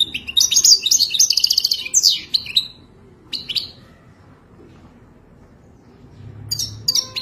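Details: Goldfinch singing for mating, a model for teaching a caged goldfinch: a dense burst of high liquid twitters and buzzy notes for nearly three seconds, then a short phrase and a closing fragment after a quiet gap.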